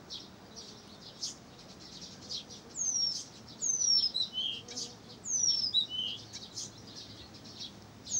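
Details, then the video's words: Pavlodar recording of a Blyth's reed warbler, with continual soft high chatter rising into louder phrases of sharp downward-swept whistles and chips around the middle of the passage. "НА КОНЦЕРТЕ САДОВОЙ КАМЫШЕВКИ В ПАВЛОДАРЕ"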